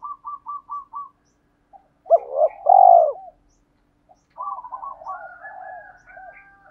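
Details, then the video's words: Decoy spotted dove meant to stir up wild doves, preceded by five rapid, even, high ticking notes. The dove's phrase is short rising coos and a broad purring note, then other birds twitter and trill softly. "Tiếng chim cu gáy kích bổi nhanh nổi - Chim Cu Mồi"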